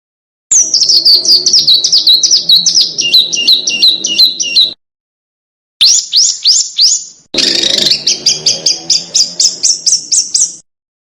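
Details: Small bird song on a master recording for training competition cage birds to imitate: rapid series of high, sharply downslurred chirps repeated about three per second, a brief pause, then more quick descending notes and a steady trilled run.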